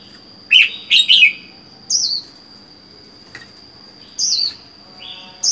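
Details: Red-whiskered bulbul kept by itself in a cage, caught wild four months earlier: three sharp rapid chirps open, then wavering downslurred whistles follow at intervals, with a continuous thin high tone behind.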